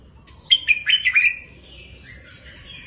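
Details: Caged-bird tutor phrase from a red-whiskered bulbul, 'double 3-4-5' style: five clear, rapid, rolling whistled notes, then a fainter drawn-out warble and a sharp note at the end.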